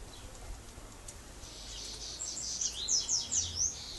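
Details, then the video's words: Double-collared seedeater giving grego-style song, faint against a hiss; a run of thin, high sliding whistles and short rising notes builds over the second half. "Coleiro Gregório"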